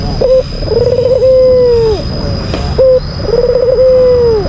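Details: White albino Barbary dove calling to rile a rival bird: two coos, each a clipped opening note, a quick rolling burr and a long level tone that falls away, with a constant thin electrical whine behind.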